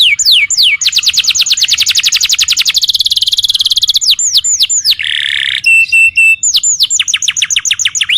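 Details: Canary song meant to trigger a reply from another canary: falling whistles, a long rapid trill dropping in pitch, harsh buzzy notes and a flat steady tone, then more swooping whistles.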